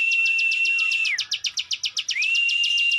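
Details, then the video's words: Ciwah, also called klik klik bird, in loud song: a long steady whistled note with rapid ticking clicks repeated about four per second, briefly dropping into a run of separate sharp clicks before the whistle resumes. "ciwah gacor ngebren, burung ciwah anda dengar langsung gacor"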